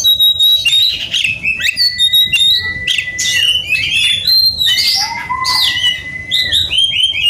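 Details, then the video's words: Agitated Oriental magpie-robin seeking a rival, singing long level whistles and descending slides interleaved with harsh buzzy notes and quick trills, strong and sustained throughout. "kacer gacor cari lawan tarung"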